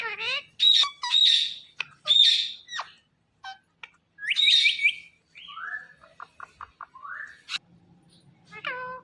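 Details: Talking Indian ringneck parrot, a pet, producing a rapid medley of loud whistled phrases, rising and falling squeaks and sharp clicks in bursts separated by brief silences, with faint low hum behind.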